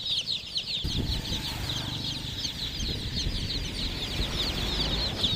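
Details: Chicken chicks chirping in a busy chorus of high falling peeps, over a louder low rumble of background noise.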